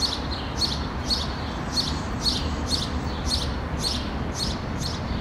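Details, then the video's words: Common starling fledglings on a tree branch in Helsinki, Finland, June 2013, calling as the parent approaches to feed them: harsh raspy high notes repeated about twice a second, over steady low rumbling background noise. "Interaction between Starling fledglings and parent"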